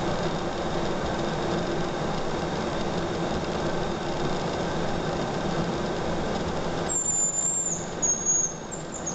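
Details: Hazel grouse spring song, with birds running in a circle. After a long stretch of hiss from a camera lens stabilizer, a very high, thin whistle breaks in, followed by a short descending trilled note.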